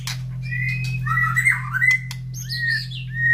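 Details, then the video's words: Captive white-rumped shama set beside other caged birds after its morning feed, everyone calling back and forth; a few drawn-out whistles and rising-falling slurred phrases, some sharp clicks, against a constant low hum. "Suara Murai Batu Gacor"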